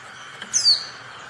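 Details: Brief thin descending call of a female Oriental white-eye, used to provoke silent males into singing, heard once over soft background noise.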